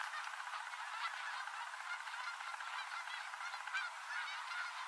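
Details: Canada geese gathering on the Rogue River, Oregon, at the end of the day; a distant, even wash of many honking birds continues without pause.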